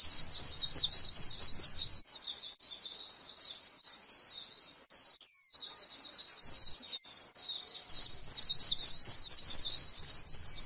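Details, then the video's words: A white-eye on grassland pours out líu song, the style used to rouse other white-eyes: continuous quick, high, warbling chatter with slight dips, over low background rumble at the start and end. "KÍCH KHUYÊN LÍU CHUẨN chim khuyên trên đồng cỏ white eye bird"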